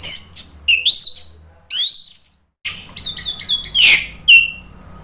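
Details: Orange-headed thrush (anis merah) singing vigorously in 'ngeplong gacor' style: varied rising and looping whistles and chirps, a short silence, then a dense, harsh burst closing with a thin whistle.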